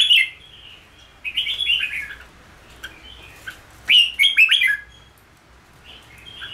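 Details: Captive red-whiskered bulbul singing in the 'ché' style, used for singing practice. Bright chirpy warbles come in quick rising-and-falling bursts, with a dense run of notes near the middle and a faint low hum beneath.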